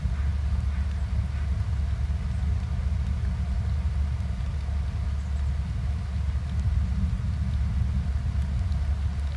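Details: A steady low engine rumble of an idling vehicle fills the recording, with no animal sound heard.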